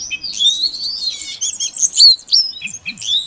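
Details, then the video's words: Female Oriental magpie-robin call used to draw song from a quiet male: a busy stream of high whistled slurs and chattering notes, with a few brief clear upward sweeps near the end. "Suara Kacer Betina Untuk Pancingan Kacer Jantan Yang Macet Bunyi Agar Gacor"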